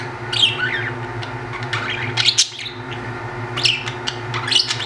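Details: Three pet budgerigars playing in the morning chatter with bursts of scratchy chirps and warbles over a steady low indoor hum.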